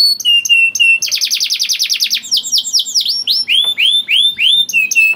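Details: Canary song played to make other canaries sing: a few flat whistles, then a rapid buzzy trill, followed by slower swooping downward notes and a final flat whistle.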